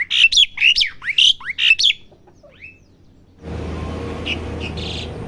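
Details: Juvenile Asian pied starling practising its song, a quick run of bright whistled upslurs and harsh notes for two seconds, then quiet, then a steady hum with a few faint chirps.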